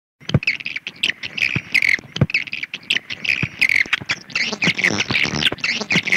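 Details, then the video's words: Swiftlet call, a dense stream of rapid chattering twitters and buzzy trills, repeated in bursts with sharp clicks between them. "Suara Walet Gunung Emas Panggil # Swiftlet Sound Call"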